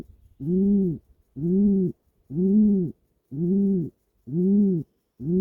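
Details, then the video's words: A pigeon sitting in its nest and twitching its wings gives low, hollow coos, one even note about every second, six in a row, with only faint rustling behind. "Happy pigeon in the nest making 'coo' sound"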